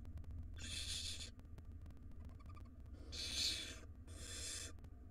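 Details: Barn owl chicks begging in a wild nest box as the mother brings food and one nestling swallows a large rodent; three breathy, hissing screeches, one early and two close together later, over a low hum.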